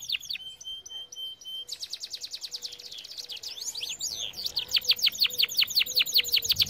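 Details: Canary training song: a steady flat tone with pulsed chips, then a burst of rapid trills and tangled swooping whistles, closing with a fast run of downslurred notes.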